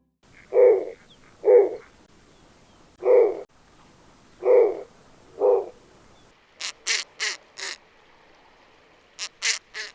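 Snowy owl giving five short, hoarse, mid-pitched barks about a second apart, then a quick run of harsh, hissing screeches.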